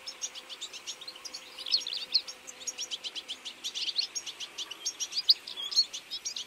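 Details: European goldfinch flock feeding in autumn: a steady patter of quick, sharp, high chirps from several birds, with a faint low tone in the background for the first half.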